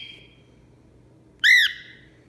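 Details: Grouchy pet cockatiel indoors, yelling in a mood from hormones or wanting something: one loud, harsh, arched squawk with strong harmonics, preceded by a fading earlier note, while a person talks nearby.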